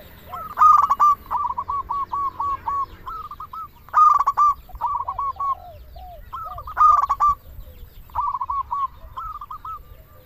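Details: Local zebra dove song for luring doves and stirring their breeding drive. Rhythmic phrases of clipped, ringing notes alternate with strings of softer rolling coos, repeating roughly every three seconds.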